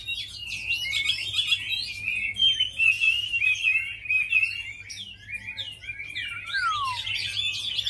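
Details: Continuous rich song of a tame Chinese hwamei kept for fighting, made of dense overlapping whistles and warbles with quick rising and falling slurs and a long descending whistle near the end.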